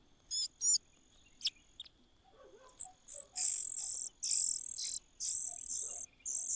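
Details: Common cuckoo begging in a nest: a few scattered high ticks, then from midway long shrill hissing bursts, one after another with brief pauses.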